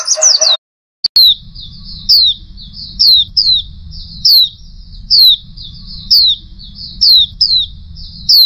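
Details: Female oriental white-eye giving a high, thin descending call about once a second, each note a quick downward slur with buzzy edges, over a low steady hum; a short burst of different noise opens the recording.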